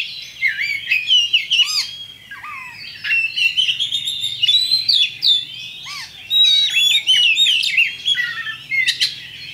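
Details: Kacer, Oriental magpie-robin, champion bird singing a lure song to spur others into fighting: dense, fast stream of whistled trills, chirps and short downward slurs, about four notes per second.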